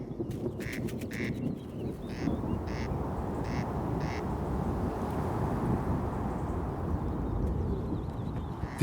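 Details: A corncrake in Scandinavian mountain meadows gives dry, rasping double notes, crex-crex, repeated about every half second over a steady low rumble of wind or background noise.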